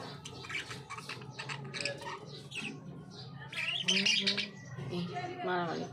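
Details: Baby budgerigars about one and a half months old, kept as pets, give a jumble of scratchy chirps and squawks with some warbling notes, amid indoor background noise and faint voices.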